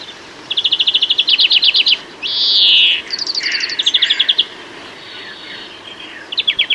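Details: European greenfinch song in a UK garden: a quick dry trill, then a loud drawn-out wheezing buzz, followed by further trills and twittering runs, fading before a final short burst.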